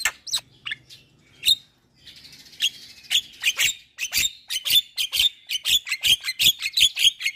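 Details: Javan myna kept in a cage, singing as a lure for silent or stressed mynas: scattered clicks and squeaks building into a fast series of sharp, rasping chirps repeated several times a second.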